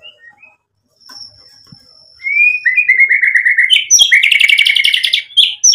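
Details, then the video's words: White-rumped shama singing as a lure to provoke other birds: a thin sustained whistle, then a loud, rapid burst of trilled, buzzy phrases and repeated chattering notes. "MURAI BATU GACOR buat PANCINGAN agar BUNYI NYAUT emosi"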